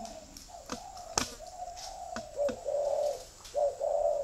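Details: Spotted dove cooing: soft, low hooted notes in a steady band, building into louder, fuller coos in the final seconds, with faint clicks and knocks in the background.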